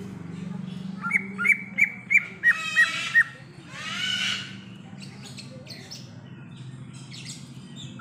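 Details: Greater green leafbird in natural habitat: six evenly spaced short whistled notes, followed by a rough harsh burst and quieter scattered sounds over steady low background noise.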